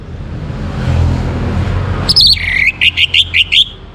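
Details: Short burst of Orange-headed thrush morning song, used to raise breeding condition in birds: after a low rumble, a quick train of about six clipped whistled notes, evenly spaced and fairly high.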